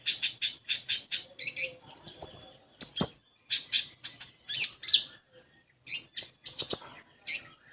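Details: Common iora song used as a lure to get a young 'konin bahan' bird singing: quick series of short, high chirps in rapid bursts, then sharp clicks and higher whistled notes, with a brief low tone behind.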